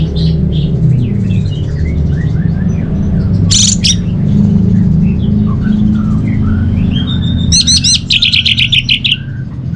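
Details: Orange-headed thrush giving scattered soft whistles under a strong low droning hum, then two short bursts of loud, harsh, rapidly repeated notes.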